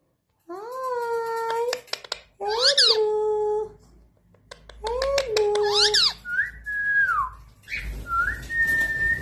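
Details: Indian ringneck parrot indoors, repeating nasal voice-like phrases between harsh screechy bursts, then whistled notes that rise, hold and fall, over a low background rumble.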